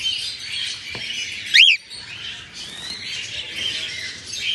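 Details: Morning chirping from red-eyed albino cockatiels: one loud, steeply arched call rising and falling quickly, set against constant quieter chattering from the group.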